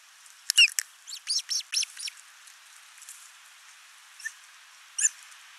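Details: Ospreys at a Finnish nest on 29 June 2024, the father bringing a big live fish while the mother feeds their only chick: a quick burst of high, thin chirps, then a rapid series of five or six notes, then scattered single chirps.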